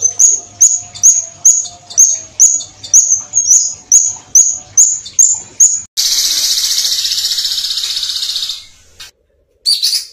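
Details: Violet cuckoo, with a steady run of about thirteen sharp, high upslurred whistled notes, close to two per second. These switch into a long, fast, buzzy trill. A brief silence follows, then the trill starts again.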